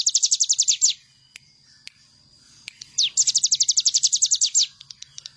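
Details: Bar-winged prinia singing actively, kept as a master for birds to learn from: a quick train of high slurred chips, a quiet spell with soft clicks, then another fast run of notes.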